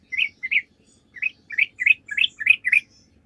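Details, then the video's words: Sooty-headed bulbul lure song for prompting other birds to answer: two separate bright chirps, a brief gap, then a string of about seven quick, rising-falling notes, with a faint hum behind. "PANCINGAN TRUCUK GACOR"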